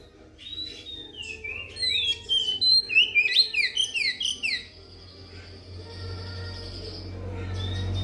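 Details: Oriental magpie-robin song used as a trapping lure and to stir silent magpie-robins into song: a quick burst of about a dozen bright, looping whistled notes, then one long steady whistle, over a low rumbling background.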